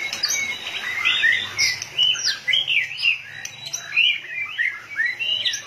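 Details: Fired-up white-rumped shama, tail flicking like a machine: loud, varied whistled phrases mixed with buzzy chatter and sharp high notes, repeated in quick bursts over a faint low hum.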